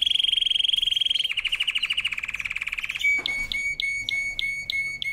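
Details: Strong canary song: a rapid pulsing trill that drops slightly in pitch and keeps going, then a slower series of sharp clipped notes repeated several times a second.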